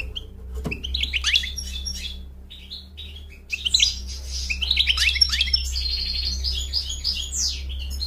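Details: Single European goldfinch singing indoors: bright, twittering phrases of rapid chirps, trills and slurred whistles, loosely patterned with brief pauses; steady low electrical hum throughout.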